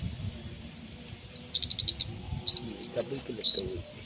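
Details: Long-tailed shrike, singing hard in 'tembakan' style with 'isian' notes for tutoring competition birds: a string of very high slurred whistles, a rapid buzzy pulse series, then more high paired notes and descending whistles.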